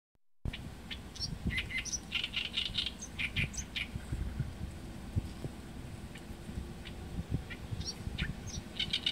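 An Oriental reed warbler sings harsh, grating chattering phrases in quick bursts over a steady low rumble of wind or distant traffic.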